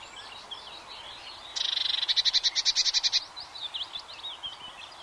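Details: Singing Eurasian blue tit gives a sharp, high trill of rapidly repeated notes for about a second and a half, set against a steady backdrop of thin whistled calls from other birds.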